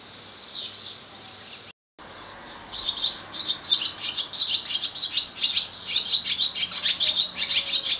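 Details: Male barn swallow with nest and mate nearby sings at Skala Kallonis, Lesvos, Greece, 10 May 2014: after a faint start and short break, a rapid, rambling warble of high chirps and rattling notes builds steadily.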